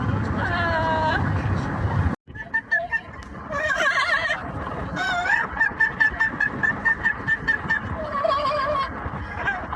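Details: Pet yellow-naped amazon parrot singing opera and making noise on a commute: wavering vibrato notes, a brief cut, then quavering sung tones and a burst of quick repeated notes above constant vehicle rumble.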